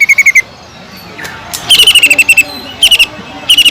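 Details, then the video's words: Greater green leafbird with kingfisher-like phrases in its song, used to tutor other leafbirds: bursts of rapid, evenly pulsed chattering notes separated by short pauses, ending in another quick rattle. "PANCINGAN CUCAK IJO GACOR ISIAN ISTIMEWAH TENGKEK UDANG"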